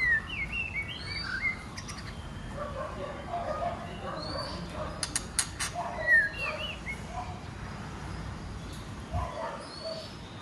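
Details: A female white-rumped shama, whose calls provoke males to sing and fight, gives varied whistled phrases and sharp clicks with several bright rising notes scattered through; other faint chirps are behind.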